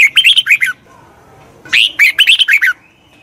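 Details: Song of a red-whiskered bulbul used for voice training of a wild-caught bird: two lively phrases of warbling, slurred chirps, the second opening with a strong rising note and ending in a thin held tone.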